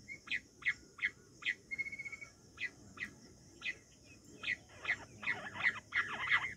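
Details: Wild quail, recorded for hunting, uttering quiet short chirps at an uneven quick pace, with a brief fast stutter early on and denser, louder notes near the end.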